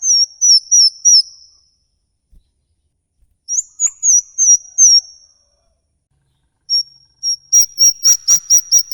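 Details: Songbird calling in a 'ngikik' style, from a lure recording of various songbirds: bursts of high, sharp chirped notes in quick runs, a pause, another run, then a faster rattling series of repeated notes.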